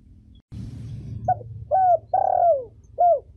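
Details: Female spotted dove giving a short cooing phrase, used to stimulate birds and train young ones: a clipped note, then gliding downward coos, the longest drawn out, after a low thump.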